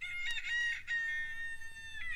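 A rooster gives a single drawn-out, hoarse crow that holds a steady, nasal pitch and trails off at the end, over a faint low hum.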